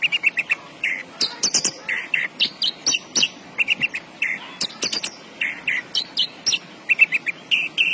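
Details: Javan bush lark kept as a cage bird sings a steady stream of short, clear whistled and buzzy high notes, alternating lower and higher phrases in brisk, varied sequences without other sounds.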